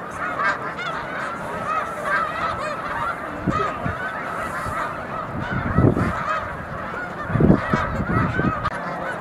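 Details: Snow geese massed in huge numbers on the mucklands near Montezuma, New York, in March 2022: a dense, unbroken roar of overlapping nasal honks, with a few louder low bursts standing out near the end.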